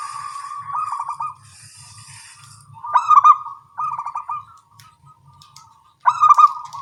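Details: During a morning exchange, small-voiced local zebra doves give several loud stuttering trilled phrases and softer coos, with high twittering from other birds early on.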